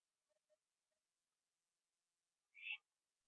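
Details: Owl eating a gopher on a porch late at night, 21 September 2011, 11:15 PM. A few faint, soft clicks come first, then one loud, rough, hissing screech near the end.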